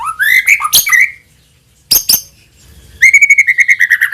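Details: Lure song of a white-rumped shama: rising fluty whistles and hard clicks, a short silence, two sharp snaps, then a fast even series of repeated bright notes.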